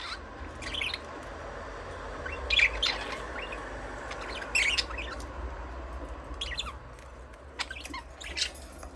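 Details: Budgerigars chirping softly, irregular warbled chirps and brief squawks about every couple of seconds over a noticeable low background rumble.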